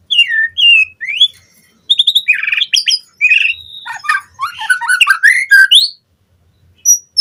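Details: White-rumped shama song as a lure to make captive birds sing with full fills: falling whistles, buzzy rattling notes and a quick jumble of varied chirps in a long, continuous phrase ending in silence.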